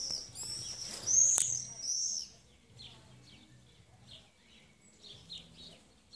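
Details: Common swift screaming: a loud, drawn-out, very high shrill screech in the first two seconds, followed by fainter, distant short screams.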